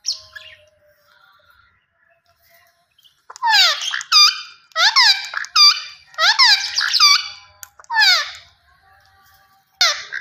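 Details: Rose-ringed parakeet calling after a quiet opening: loud grating screeches that sweep downward, grouped in tight clusters from about three seconds onward, with brief gaps between bursts and one last shriek at the end.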